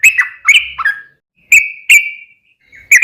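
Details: Sooty-headed bulbul, a lure recording meant to provoke other bulbuls into answering: a few bright, slurred whistles around mid pitch, some rising then dropping, separated by short pauses.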